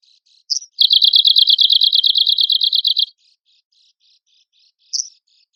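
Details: Arctic warbler song kept for contest birds: a sharp high note launches a quick, dry, buzzy trill of some two seconds, followed by quiet soft notes and another lone sharp note.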